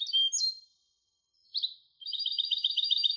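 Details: Twittering song of a goldfinch hybrid, opening with quick slurred chirps, a brief pause, then a single rising note before a steady rapid trill of repeated buzzy elements.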